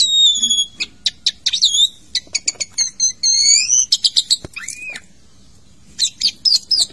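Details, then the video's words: Caged Asian pied starling in a bathing cage singing a varied song: clear whistles sliding around 4–8k, quick repeated chirps and rattling bursts, a falling whistled note near the end, with short pauses between phrases. "Jalak suren bongkar isian di keramba pemandian"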